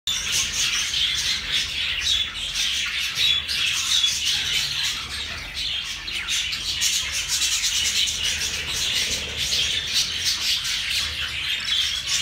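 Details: Young budgerigars (hagoromo type) keep up a dense, high, scratchy chatter of chirps and squawks.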